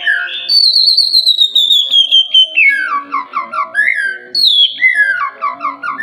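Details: Melodious Oriental magpie-robin song used to prompt lazy birds to sing. A high whistle glides steadily downward, then a run of quick bubbling notes, and a second falling whistle near the end.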